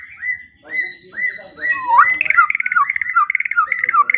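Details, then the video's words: White-rumped shama, morning and evening training song for songbirds: repeated whistled downslurs, a long steady high tone, then a fast run of rhythmic, bubbling notes repeated over several seconds. "Pancingan dan Masteran Pagi dan Sore Hari Murai Pendiam Langsung Ikut Bongkar Isian | shama bird"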